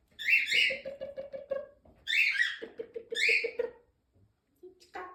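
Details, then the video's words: A pet rose-ringed parakeet, seemingly trying to sing along with its owner, gives three bursts of harsh, shrill squawks, with lower rhythmic pulsed sounds, likely a person's voice, between them. "Mr.Jackie was trying to sing with me."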